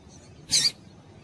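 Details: Female Double-collared Seedeater call used to get males singing: one short, sharp high chirp lasting about a quarter second, with a faint low hum behind it.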